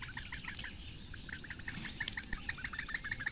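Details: Four Eurasian bittern chicks in a webcam nest in the reedbeds of Lake Engure, Latvia, calling as the female feeds them breakfast on 15 May 2017 at 08:46. Their short, ticking notes repeat rapidly, about three per second.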